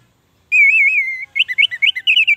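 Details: Orange-headed thrush song, played to coax captive birds that have stopped singing: a long wavering whistle held for most of a second, then a quick run of short, clear whistled notes that rise and drop, with a quiet background.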